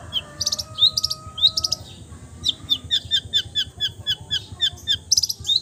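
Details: Long-tailed shrike mimicking various bird songs: high whistled notes and chirps, then a quick, rhythmic series of sharp repeated chips ending with a buzzy flourish.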